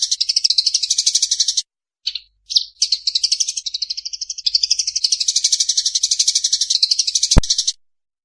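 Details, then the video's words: A Eurasian tree sparrow's fighting call: long runs of rapid buzzy chatter interrupted by brief gaps with single chirps, ending with a sharp click. "SUARA GREJA TARUNG TERBARU MP3"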